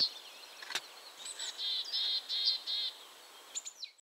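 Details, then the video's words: Willow tit singing at a site recorded at coordinates 51.950609, 20.114712: a run of five clear, even, whistled notes at the same pitch, each held briefly and spaced about a quarter second apart, with a few thin high chirps before and after. "Willow tit / Czarnogłówka"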